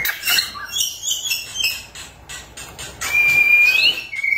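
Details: White-rumped shama song played to get silent shamas singing: rapid scratchy, chattering notes first, then a long steady whistle rising at its end.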